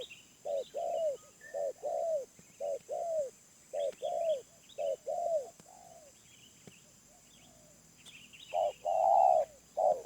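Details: Wild spotted dove, medium voice, calling in a run of short and long low coos, pausing briefly, then a louder, fuller coo near the end; light chirping of other birds behind.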